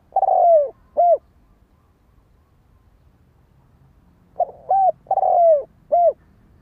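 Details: Spotted dove calling, giving two phrases a few seconds apart, each a soft short note, a clear coo, a long drawn-out coo sliding downward, then a final short coo, in a quiet setting.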